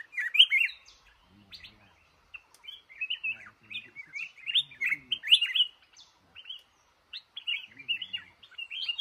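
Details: In a cashew garden, a trapped male red-whiskered bulbul delivers repeated lively, jumbled warbling phrases with loud peaks and short gaps between bursts.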